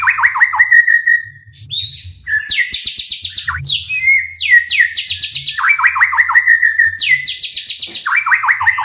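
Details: White-rumped shama song meant to stir other shamas into singing: rapid repeated downslurred notes alternating between lower and higher series, with sustained whistles linking phrases and a faint low hum.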